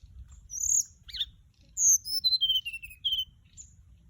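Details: Bright flycatcher lure call: a sharp high note and short buzzy chirp, then a loud descending string of about eight clear whistled notes; a male and female are flying nearby.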